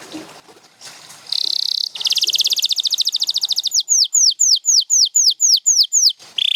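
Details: Canary song among champion Gloster and Spanish Timbrado birds: faint background rustle, a sustained buzzy tone, then a long rapid trill followed by evenly repeated falling whistled notes.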